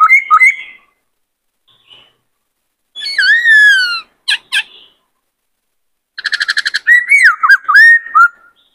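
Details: Male White-cheeked laughingthrush, caged and in breeding condition, singing and dancing: a short high phrase, a long descending whistle, two sharp clicks, then a rapid rattle of buzzy notes into looping whistled phrases.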